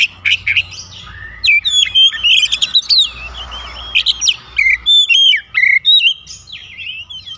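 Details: Oriental magpie-robin lure song meant to set other magpie-robins singing: a fast medley of rich whistles, twangy slurs and harsh rasping bursts in rapid bouts, with a faint low hum underneath.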